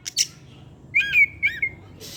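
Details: Oriental magpie-robin in afternoon song: two brief harsh notes, then two clear, wavering whistled phrases, each ending in a flat held tone, against a faint steady hum.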